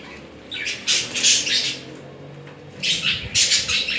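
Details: Two budgerigars mating and courting each other, giving harsh, broadband squawking bursts in two clusters separated by a quiet gap of about a second.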